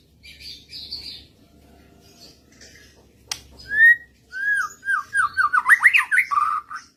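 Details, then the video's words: Murai responding to a lure recording: soft buzzy notes, a sharp click, then a loud upslurred whistle followed by a rapid string of sweeping downward whistles, fading into a low warble. "Burung Murai lain ikutan ngotot"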